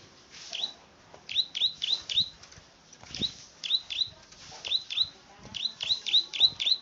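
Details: A plain prinia, the field bird called klik-klik, repeats bright, high, ticking notes in bursts of three to five. Short pauses separate the bursts, with low knocks and faint rustling between them.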